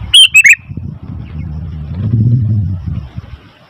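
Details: Sooty-headed bulbul opens with a brief, loud chirping phrase. Then a steady low rumble like passing traffic builds and fades.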